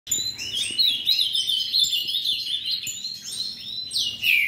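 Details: Ultramarine grosbeak from a breeder singing a rapid, high, warbled phrase of sliding whistled notes that loop up and down, with quiet background hum.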